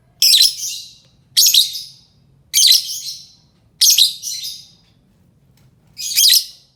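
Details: Shrill, scratchy lovebird screeches, a sound for drawing in other lovebirds, come in a fairly steady series of about one per second, then a longer pause before a final call; low faint hum underneath.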